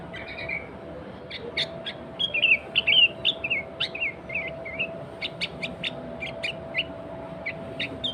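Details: Energetic sooty-headed bulbul song, played as a lure to call wild bulbuls in the forest: a dense run of sharp chirps and slurred whistles, with quick clicky notes repeated roughly twice a second, over a faint constant hum.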